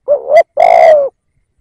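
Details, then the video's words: Single phrase from a decoy spotted dove kept to attract wild doves: a short wavering coo rising at its end, a brief break, then a longer rough, even coo that fades. "Tiếng Cu Gáy / chim cu gáy kích bổi nhanh nổi / Cu gáy / Chim cu gáy mồi / cu mồi"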